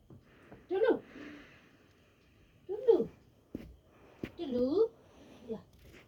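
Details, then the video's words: Pet parrot talking indoors in a small room: three separate bursts of speech-like syllables with a nasal, voice-like tone, each about half a second long and spaced roughly two seconds apart, with a soft breath-like sound between them. "Talking parrot"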